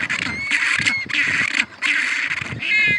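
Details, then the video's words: Penguins calling: loud, harsh, braying bursts roughly half a second long, each with a wavering tonal band, coming in quick succession with short gaps, and a low rumble underneath. "The sounds of the penguins"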